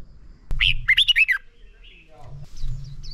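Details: Caged red-whiskered bulbul giving a short burst of lively chirped and slurred whistles, followed by faint high notes, with low rumbling background noise and a sharp click at the start.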